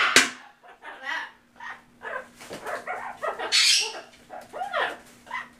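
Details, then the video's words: Sulphur-crested cockatoo saying "back off", recorded November 2015: a run of short, speech-like syllables with shifting tones, some rising and falling in arcs, loudest near the middle, over a faint steady low hum. "sulfur crested cockatoo say Back Off"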